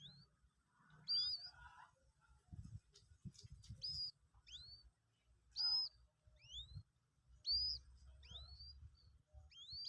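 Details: Two-day-old Common Moorhen chicks, captive, being taught to eat feed: high whistled peeps, each rising then levelling off, repeated about every second, with tapping and handling noises.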